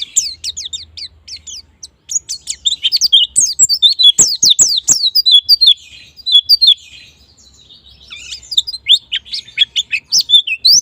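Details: White-eye lure song meant to prompt quick ngalas and nembak singing: dense, rapid, high twittering of sharp sweeping notes, with a short pause midway and several sharp clicks or taps around the fourth second.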